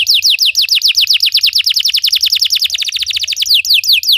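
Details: Belgian canary song meant to teach other canaries to sing, a fast, even trill of downward-sweeping high notes, roughly eight per second, continuing without a break.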